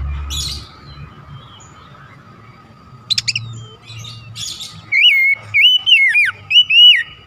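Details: Oriental magpie-robin singing as a lure to provoke others of its kind: after a few scattered chirps and faint background hum, a run of clear, wavering whistled phrases repeats near the end.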